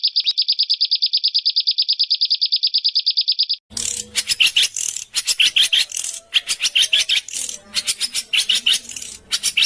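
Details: Harsh 'besetan kasar' training song for pet and contest songbirds: a steady, even, high buzzing trill, then irregular loud rasping bursts and chattering notes.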